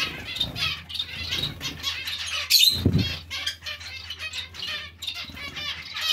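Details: Zebra finch colony with other finches, fast run of nasal beeps and chatter from many birds overlapping continuously, punctuated by a loud flutter of wings midway.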